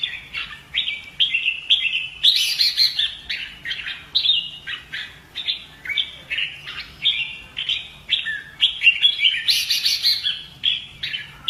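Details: Caged Red-whiskered bulbul trained for competitive fighting song; a long continuous run of rhythmic warbled notes, repeated several times per second, broken by two harsher high bursts.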